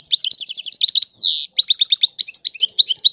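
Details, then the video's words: A European goldfinch delivers tiwawati-style song: a fast rattling trill, a drawn-out descending buzz, then a renewed stream of tinkling, varied twitters without a break. "اعظم تغريد الحسون طيواواطي"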